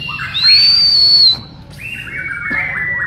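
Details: White-rumped shama of the Bornean type, a bird in a training session, gives a loud drawn-out whistle held high and steady, then after a pause a lower sliding phrase of warbled notes.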